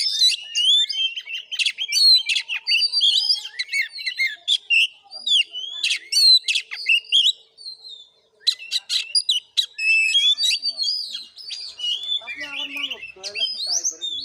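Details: Kacer, the Oriental magpie-robin, in a fighting song at a neighbour's house in Bengkulu, Indonesia: long stream of sharp whistles, rapid clicks and harsh bursts, short gap midway, descending notes near the end.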